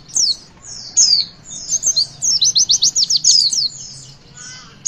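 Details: High, thin whistles from a Javan white-eye open the 'witwit' song, then a steady string of about ten rapid chirps follows; the song is meant to stimulate young birds to sing.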